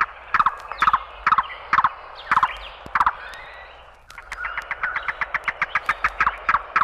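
Yellow-billed Cuckoo: hollow, wooden knocking notes, first about six spaced half a second apart, then a quicker run of a dozen or more.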